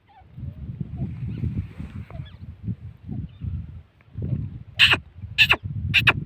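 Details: Female grey francolin: after a stretch of low rumbling, three loud, sharp, harsh notes come in quick succession, roughly every half second, at the end.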